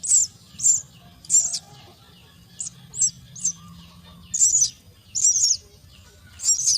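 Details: Myna chicks begging as they are fed at the nest, loud shrill raspy squeals in quick bursts of half a second or less, coming nearly every half second, over a quiet low hum.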